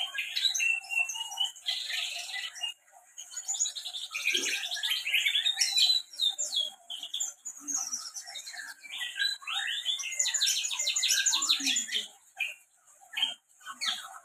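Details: Canary in Central Java, Indonesia, in full energetic song: long rapid stream of twittering trills, buzzy rolls and varied chirps with brief gaps, some faint low background sounds.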